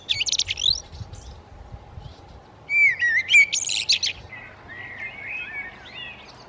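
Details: Common redstart singing to defend its territory with a nest while feeding young with insects, May–June 2018: high, thin chirping notes, then a louder phrase of clear rising whistles and rapid twittering, followed by softer scratchy twitters over a low steady hum.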